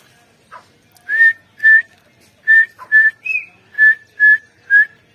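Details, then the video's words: Female grey francolin calling, recorded 29 November 2022: a series of loud, clear whistled notes at a steady mid pitch, about eight in five seconds, with a few softer lower notes and one higher slurred whistle. "Female Teetar Madi ki awaaz grey francolin ایرانی تیتر"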